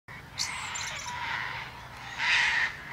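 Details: Male common blackbird singing atop a plum tree: smeared, mellow warbled phrases with a brighter, louder burst near the end, over steady faint background hiss.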